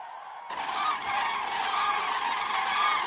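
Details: Cranes on an autumn migration stopover on the Hortobágy steppe, Hungary, flying in flocks toward their roost at dusk; after a quiet half second, a dense, loud chorus of trumpeting calls suddenly fills the air and continues.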